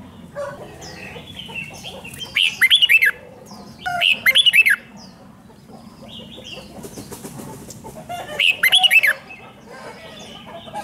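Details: Song of a red-whiskered bulbul in 'rik' style, played for caged birds to hear: three short bursts of rapid bubbling whistles, roughly every two to four seconds, against a busy murmur of distant chirps and rustling.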